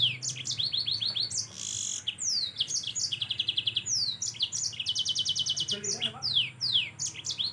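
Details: Yellow-fronted canary singing a dense, rapid song of high, sharp, downslurred whistles and fast buzzy trills, with short pauses between bursts and faint low background hum.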